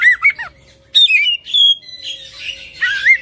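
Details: Oriental magpie-robin, full isian ngerol gacor song: wavering whistled notes, then a pause, then loud piercing whistles with falling slurs, ending in a burst of scratchy chatter and a rising whistle.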